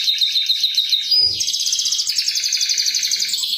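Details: Canary lure song, chirping "cuit cuit" to draw out singing: a steady buzzy trill of rapid notes, a brief sliding whistle, then a bright rolling trill that runs on continuously to the end.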